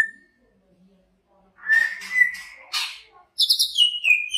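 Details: Greater green leafbird, a big-bodied bird from Banyuwangi kept for songbird contests, sings after a short silence: a long steady whistle, a brief harsh burst, then a bright buzzy phrase sliding down into another sustained whistle.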